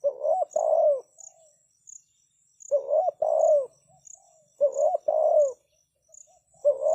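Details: Caged decoy spotted dove calling to draw in wild doves: three phrases roughly two seconds apart, each a quick rising note followed by a fuller, descending coo, over high insect chirping.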